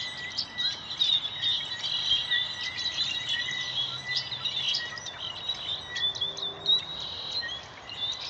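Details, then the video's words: Many birds chattering in a tree near a classroom around 4:45 pm MST as sunset approaches; dense overlapping high chirps and twittering notes run continuously, with steady faint background noise. "Birds Chirping While Sunset is Approaching"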